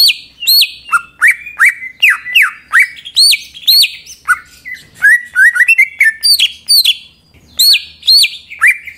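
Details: Greater green leafbird song used as a lure to provoke other leafbirds to sing: loud, varied phrases of whistled notes, many sharply rising then falling, mixed with short chirps and rapid trills, in quick bursts without pause.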